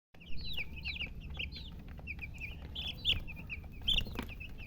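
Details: Baby chicks chirping: many high, short, rapid peeps that overlap and repeat continuously, with a few louder cheeps, over a low background rumble.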